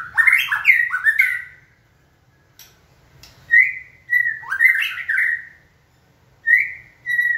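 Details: Caged white-rumped shama prompted to sing: melodious bursts of fluty, slurred whistles that rise and fall, several clear steady whistled notes between them, and quiet pauses in a still room.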